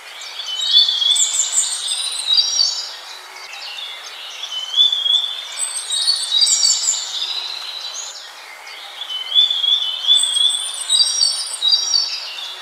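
Scaly-breasted munias give thin, high chirps and twittering notes, several birds overlapping in busy bursts about every four seconds, with quiet gaps between.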